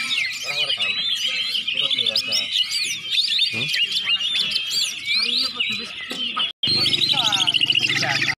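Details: Pre-contest warm-up song of a Greater green leafbird: fast, varied whistles and chirps run together almost without pause, briefly cut off, then resuming with a low hum beneath.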